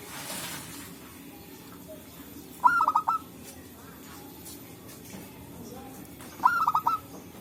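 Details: Zebra doves calling back and forth in forest, a lure for trapping; two rapid pulsed coo phrases about four seconds apart, each a string of short clipped notes, over a quiet forest background.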